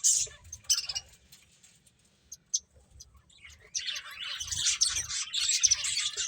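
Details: Finches eating: a few isolated high chirps separated by near silence, then a sudden continuous burst of dense twittering that lasts to the end.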